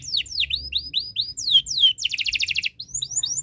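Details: Canary in breeding condition, song played to make other birds sing: series of high downslurred whistles, two loud sweeping notes, a rapid dense trill, then more soft upslurred chirps.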